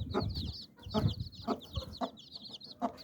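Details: Mother hen clucks to call her nine chicks under her wings for protection or rest; low clucks come roughly once per second, with quick high peeping from the chicks throughout.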